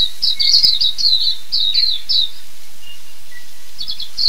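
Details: Silvereye, also called waxeye, recorded in New Zealand; bursts of high warbled, twittering notes in quick runs near the start, a pause, then short chirps toward the end.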